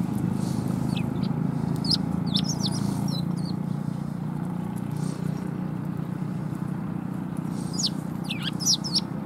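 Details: Sparrows arriving at a shrine in March to be fed: thin high downslurred chirps in loose clusters, heard over a loud continuous low engine-like drone.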